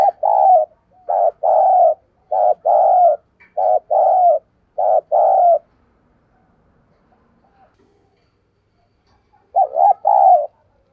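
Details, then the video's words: Spotted dove used as a decoy bird, urging and calling coos: low, mellow coo phrases in quick groups of two or three notes repeat several times, a pause, then a final pair. "Tiếng Chim Cu Gáy Thúc Gù, Và Gáy Gọi \ Giọng Sát Bổi"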